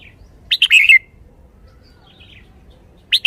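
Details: Lively red-whiskered bulbul kept as a cage bird gives a quick, bright warbling phrase of tumbling chirps, then near silence, and starts another phrase at the very end.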